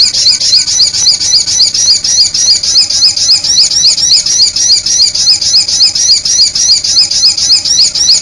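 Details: Sunbird calls played as a bird-attracting lure: shrill, clipped chirps delivered in a fast, very regular series of about three to four per second, continuing without break against a quiet background.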